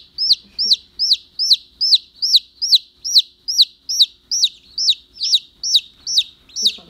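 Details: Baby chicken calling like an alarm: loud, high peeps repeated steadily, about two to three per second, each rising then sharply falling, in otherwise quiet surroundings.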